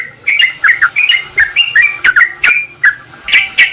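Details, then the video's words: Lure recording of yellow-vented bulbuls calling rivals in; a string of bright slurred chirps, spaced and rhythmic, a few sharp clicks mixed in. "suara pikat burung trucukan PALING AMPUH TERBARU/Trucukan memanggil lawan"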